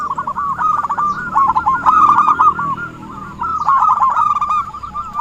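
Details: Actively calling zebra dove, recording meant as a trapping lure: dense trilled coos flowing into one another at steady mid pitch, louder stretches near the middle and end, light clicking noises behind.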